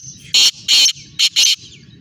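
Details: Black francolin from Sindh, Pakistan, giving a loud rasping phrase of four harsh notes in just over a second, a short burst, a longer one, then two quick clipped notes, over a soft low background hum.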